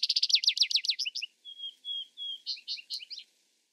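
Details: Vesper sparrow singing: rapid buzzy trills at the start, then three drawn-out level whistled notes, then a looser run of chirping trilled phrases. No other sounds are heard.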